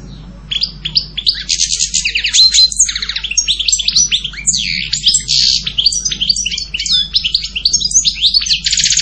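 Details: European goldfinch singing almost without pause, an energetic cascade of high tinkling, twittering and buzzy notes over nine seconds.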